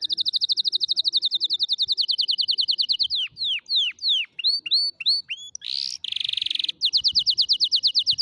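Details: Canary song for training young canaries: a long, rapid, ringing trill that drops slightly in pitch, then separate swooping notes, a short harsh buzz, and another fast trill.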